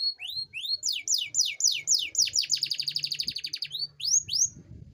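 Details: Singing Atlantic canary, a lure recording for lazy canaries: a series of rising whistled slurs that speed into a rapid rolling trill, then more rising slurs, with faint low background hum.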